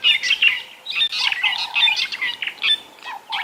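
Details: Fork-tailed drongos calling around a drainage line at sunrise on 16 January 2022 give a busy run of harsh, metallic, twanging notes and chirps, with one lower drawn-out whistle, among many other birds and insects.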